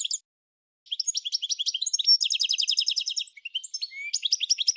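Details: Goldfinch singing: rapid twittering run of tinkling notes, many high buzzy trills and liquid twitters packed closely after a brief pause, ending in a few rising whistles.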